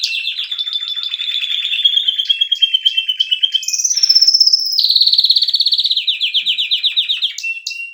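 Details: Canary in full song: a long run of fast repeated notes, a brief burst of higher rattling, then a bright trill that steps down into slower, evenly spaced pulses.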